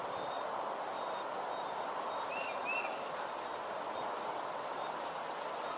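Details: Very high, thin squealing whistles from hungry baby birds as the mother feeds them, pulsing in uneven surges with a brief pair of lower notes midway; faint hiss beneath.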